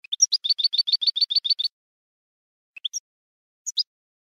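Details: Goldfinch contest song for training birds: a rising note leading into a fast run of twittering doubled notes lasting over a second, followed by sparse scattered chirps after a gap.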